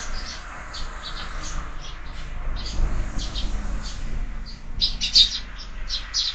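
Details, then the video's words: Sparrows fighting at a window-mounted feeder used for year-round bird feeding: a busy stream of short, high chirps, overlapping and irregular, with a low background rumble throughout. "Воробьи в кормушке - драки, драки"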